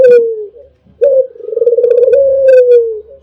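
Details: Albino Barbary dove, a champion singer, in a training recording. A falling coo ends, then a short rising note leads into a long rolling, trembling coo that slowly descends. Faint low background noise is present.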